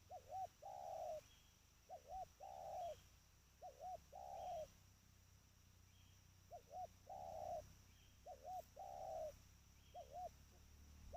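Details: Spotted dove, a trained bird, calling steadily: repeated phrases of two brief low hoots and a longer rasping coo, roughly every two seconds, about six phrases, with faint high chirps in the background.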